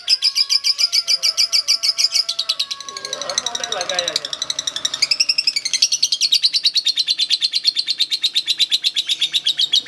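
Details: Lovebird in a song contest with a long, fast, high rattling chatter that runs through a brief patch of mixed background sound midway.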